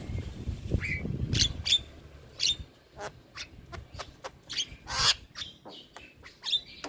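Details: Master recording of starling song for training young birds: loud clicks and snaps with occasional short whistles, irregularly paced, with a brief low rumble at the start.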